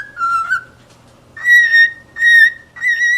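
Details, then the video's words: Cockatiel whistling: a lower wavering note, a pause, then three strong, steady higher whistles in a row. "صوت راءيع للطيور الكوكتيل"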